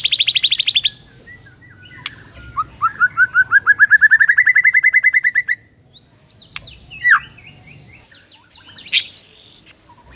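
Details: Singing white-rumped shama used as a lure to make a silent bird start singing. A high buzzy burst gives way to a rising trill of quick notes that climbs and brightens, then sparse sharp clicks and chips.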